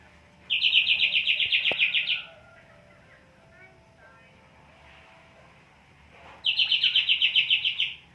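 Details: In high breeding condition and held in a krodong cage, a greater green leafbird gives two dense, rapid bursts of about a dozen bright repeated notes each, roughly four seconds apart, with near silence between them.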